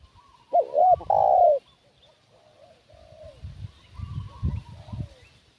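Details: Decoy spotted dove cooing to lure wild doves: one strong phrase of quick looping notes ending in a long mellow coo. Softer distant coos and dull low thumps follow.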